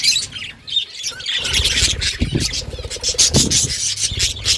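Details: Budgerigar chatter of squeaky chirps and scratchy notes, mixed with low rubbing and thumping noises and a mild hum.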